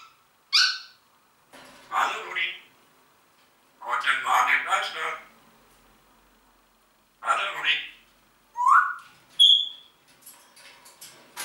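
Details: Talking Congo grey parrot producing speech-like syllables in several bursts, then a rising whistle and a brief high pure note, with softer clicks trailing off at the end.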